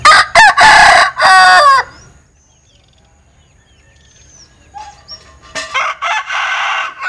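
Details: Linh Kê chicken giving an unusual crow: loud, harsh, harmonic bursts broken into several segments over nearly two seconds, then a quiet stretch with faint distant chirps, before another loud, broken, strained crowing phrase near the end.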